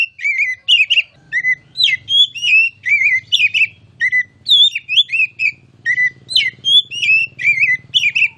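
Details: Oriental magpie-robin (kacer) delivering loud ngeplong-style masteran song: a steady stream of varied whistled phrases, fluty slurs mixed with sharp chips, about two or three bursts a second, with a faint low hum beneath.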